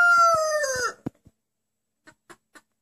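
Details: A rooster's crow, said to sound like the Turkish word "anneanne" (grandmother). A loud, harmonic, slightly falling call fills the first second and ends abruptly, followed by a few faint clicks and taps.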